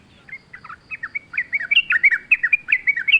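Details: Sooty-headed bulbul giving lively wild-style song as a lure for caged birds: a steady stream of quick, bubbly, slurred chirps that grows louder and denser toward the end, with a soft low hum beneath.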